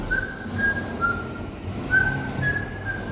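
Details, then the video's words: A pet parrot gives clear, level whistled notes, short and repeated about every half second, over a steady low background hum. "My Parrot Rudy Making Intriguing And Funny Sounds!"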